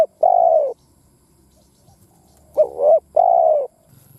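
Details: Lure call of a decoy spotted dove: a steady falling coo, a pause of nearly two seconds, then a tremulous dipping note and another smooth, descending coo.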